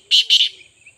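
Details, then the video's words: Two loud, harsh, rasping partridge notes in rapid succession, then near quiet. "kaka titarSultan voice"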